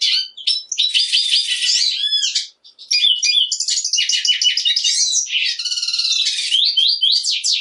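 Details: Black siskin singing almost nonstop: a dense, buzzy, high warble of rattling trills and twittered notes, with a brief pause midway before the tumbling song resumes.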